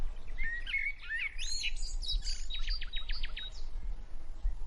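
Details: A pair of Monk parakeets preening each other chatter with scratchy, tumbling chirps, then a quick run of six or seven sharp repeated notes, over a steady low rumble.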